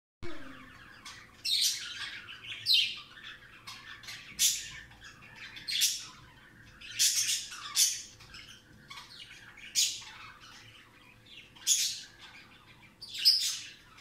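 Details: Budgerigars give harsh, scratchy squawks and chirps in quick bursts, an excited greeting chatter as they are happy to see their owners.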